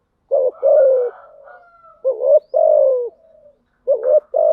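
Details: Spotted dove lure coos in the thúc gù and gáy gọi styles, played to stir decoy doves into calling: low hollow phrases, each a short wavering double note followed by a longer, slightly falling coo, repeated about three times with quiet gaps.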